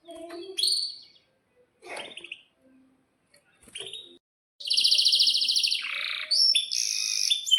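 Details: Canary in excited breeding-condition singing, with sharp chirps and long rolling trills, used as a lure to stimulate other canaries to sing. Scattered high chirps give way to loud, fast, buzzy trills that shift in pitch.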